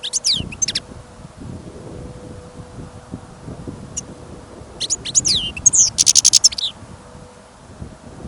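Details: Caged European goldfinch kept for listening, singing outdoors in snow and wind on a trapping trip: scattered high chirps and sliding notes, then a dense burst of rapid tinkling twitter with a fast trill, over a steady low wind rumble.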